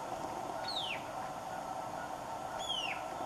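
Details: White-capped Tanager in humid montane forest at Abra Patricia, northern Peru, gives two shrill, downslurred whistled calls about two seconds apart, each dropping sharply from high to mid pitch, over a steady background rush.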